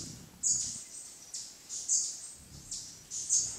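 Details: Velvet-purple coronet hummingbird in humid Andean forest at Mindo, Ecuador, 22 July 2017, 15:00, giving sharp, very high, thin chips repeated irregularly about once a second over a faint low background hiss.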